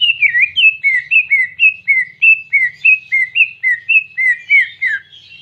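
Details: Greater green leafbird singing a clear canary-style phrase: about ten sweet, whistled two-part notes, each dipping then leveling, repeated steadily roughly twice per second over a faint low hum.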